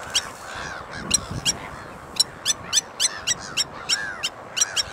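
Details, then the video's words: Blacksmith lapwing uttering loud, clicking metallic notes at a steady pace, like hammer strikes on an anvil, over a backdrop of softer arched bird calls. "Blacksmith Lapwing"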